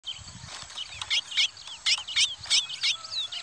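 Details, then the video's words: Chestnut-bellied seed-finch (curió) duel: a Parazão-style singer against a pardo bird, fighting hard. High whistled phrases with quick hooked, slurred notes burst out in rapid irregular bouts over a faint steady hiss. "Curió Parazão VS Curió Pardo"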